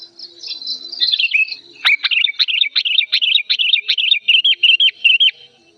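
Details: Old sooty-headed bulbul, agitated and emotional, singing loud and clear. Soft high chatter leads into a regular string of about a dozen sharp, slurred chirps, roughly three per second.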